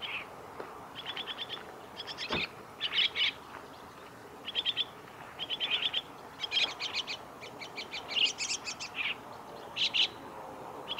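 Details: Chestnut-cheeked starling calls at the Kitafuji training area, Japan, on 2 July 2017: short buzzy, chattering chirp bursts in quick clusters, given irregularly every second or so over steady background hiss.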